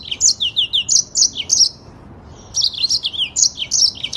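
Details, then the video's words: Yellow-fronted canary giving a tight, fast 'ngerol' master song: rapid strings of high, sharp down-slurred notes, about four per second, broken by a brief silence before the run resumes. "AUDIO MASTER BURUNG MOZAMBIK FULL NGEROL PANJANG DAN SPEED RAPAT"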